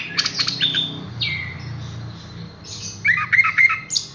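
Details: Caged Horsfield's bush lark, hung up directly without conditioning, producing a quick series of clicky notes, a falling slurred whistle, a quieter pause, then a rapid burst of chirps near the end.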